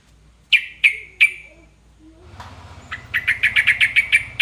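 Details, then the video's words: Sooty-headed bulbul song intended to make other bulbuls respond: three sharp separate notes, then a pause and a quickening run of about ten crisp repeated chirps, over a low hum. "burung trucukan manapun langsung nyaut dibuatnya"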